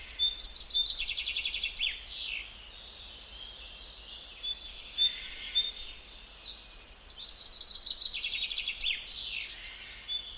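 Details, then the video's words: Gouldian finch giving a thin, high, hissing song of rapid buzzy notes and sharp sweeps, in two bursts with a quieter pause between, over faint background hiss. "Beautiful Gouldian Finch"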